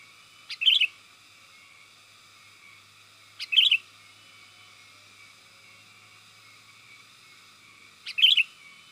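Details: Lure call of a sooty-headed bulbul for drawing in wild birds, three brief chirpy phrases spaced about three to four and a half seconds apart, each a sharp note then a bubbly twist, steady background hum.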